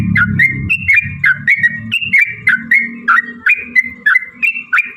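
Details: Yellow-vented bulbul in rapid long song used as a lure: a brisk chain of bright warbling notes, about three per second, some sliding downward, over a low humming background.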